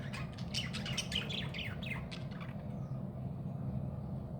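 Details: Budgerigar (Melopsittacus undulatus), apparently a pet, calling: a quick run of bright, chirpy, warbling calls over a steady low hum.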